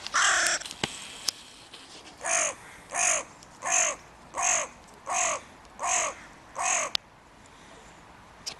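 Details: Crow in spring mating season vigorously defending its breeding territory: a long harsh caw, then a run of seven hoarse, evenly spaced caws about every 0.7 seconds, loud and close, with a few clicks in between.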